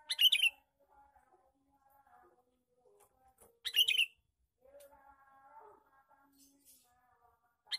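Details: Male sooty-headed bulbul repeating a loud, bubbly chattering lure call three times, roughly every three to four seconds, with soft faint chirps and tones between.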